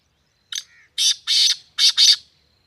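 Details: Black francolin (kala teeter) calling in Sindh, Pakistan: a loud, harsh, grating phrase of five notes, a short note, then two pairs of rasping notes, against an otherwise quiet background.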